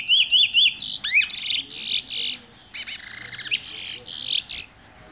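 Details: Old adult male Eurasian bullfinch (Pyrrhula pyrrhula), a kept bird, singing a quick, varied run of high whistles, creaky squeaks and fluting slurred notes in short bursts with barely a pause.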